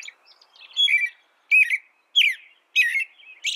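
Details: Short stretch of American robin song, four or five rich, downslurred whistled phrases spaced about two-thirds of a second apart, clean and close.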